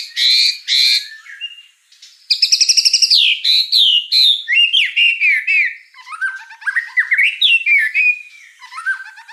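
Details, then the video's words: White-rumped shama singing gacor: rich whistled notes, then a rapid rattling trill and a long run of bubbly, rising and falling warbles delivered without pause. "Suara kicau burung murai batu gacor"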